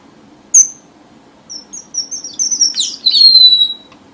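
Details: Red avadavat giving a lure song: one sharp high chip, then a run of thin, squeaky twitters that builds to a loud, long, downward-sliding whistle.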